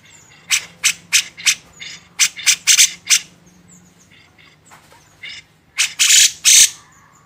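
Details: Master recording of a grey-cheeked bulbul for songbird training: rhythmic raspy bursts in quick succession, a quieter stretch, then three loud grating blasts.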